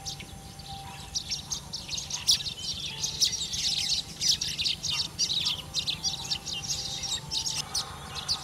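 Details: A small nesting colony of Asian golden weavers (Ploceus hypoxanthus) in wet-area vegetation in Thailand during the March–August breeding season chatters in a dense, continuous stream of high, scratchy chirps and squeaks over a steady low hum.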